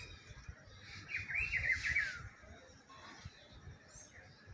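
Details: Rufous-browed peppershrike (Cyclarhis gujanensis) in spring gives a single rich, warbled phrase of about a second that wavers and then falls, over a low rumble and a faint high chirp.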